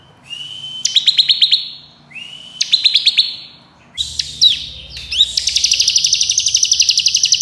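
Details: Bar-winged prinia delivering fast ngebren trills: steady thin whistles break into short rattles of ticking notes, then a long unbroken buzzy trill of closely spaced clicks to the end.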